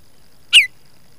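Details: Baltimore oriole in the Nebraska Panhandle on May 11, 2021, giving one short, clear whistled note that slides slightly downward, against an otherwise quiet background.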